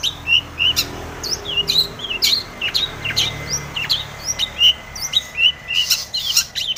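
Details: Long-tailed shrike (pentet) in varied lure song for stirring other shrikes: bubbling run of short whistles, chirps and looping notes, some high and squeaky, with a faint steady tone behind.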